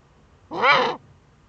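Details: Eurasian eagle-owl, female, in a nest niche in northern Rhineland-Palatinate, Germany, 5 May 2013, scraping in the nest; a lone hissing, rasping call near half a second long with a rise and fall, surrounded by silence.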